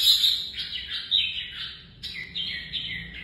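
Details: Red-whiskered bulbul singing for competitive song training: lively, high warbled and whistled phrases rising and falling, in short bursts with brief pauses.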